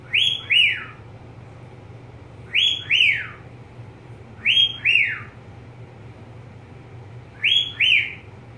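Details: Pet budgerigar calling: paired high, sliding whistled chirps repeated about every two seconds, with steady low hum in the background.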